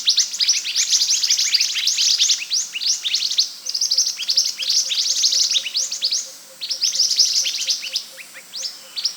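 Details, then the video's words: Scarlet minivet song from a training recording for other birds: a dense, lively stream of rapid high chirps and short sweeping notes, with brief pauses and a faint steady tone underneath. "MASTERAN BURUNG MANTENAN ( SEPAH HUTAN ) GACOR"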